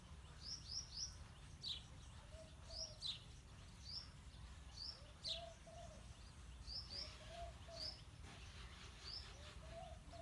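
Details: A pair of house sparrows, male and female, calling with bright, repeated chirps, often in quick doublets, over about ten seconds, with a soft low background rumble and faint lower tones.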